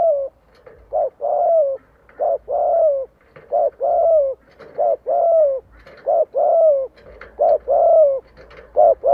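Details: Loud, regular cooing from a spotted dove decoy that lures wild doves to fight: paired short hoots alternating with long falling coos, repeated about 46 times a minute.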